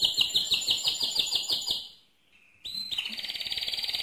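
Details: Mosaic canary singing loudly: a fast pulsed trill, a short silence with a faint whistle, then a rising note leading into another rapid, even high trill.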